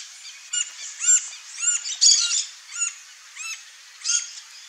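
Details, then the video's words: Male Green-barred Woodpecker (Colaptes melanochloros) at its nest in breeding season gives short, arched, squeaky call notes, about one every half second to second, over a steady high hiss. "PICA-PAU-VERDE-BARRADO Macho Ninho"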